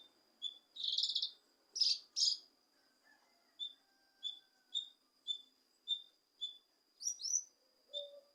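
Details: Leafbird (cucak kinoi) song meant to provoke a lazy kinoi: several harsh buzzy chatters, then a steady series of short clear whistles about every half second, ending in sweeping squeaky notes.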